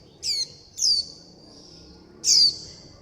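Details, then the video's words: Young white-eye calling for its mother and flock, begging for food: three thin, high, sharply down-slurred notes, two close together and one after a pause, over quiet background hiss. "Tiếng chim vành khuyên non gọi mẹ - gọi bầy - đòi ăn"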